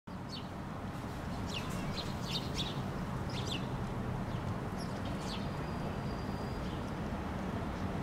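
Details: House sparrows standing on the ground in Helsinki, Finland, in August, watching their surroundings before taking off; short, sharp chirps come in irregular bursts, several close together, over a steady low rumbling background noise.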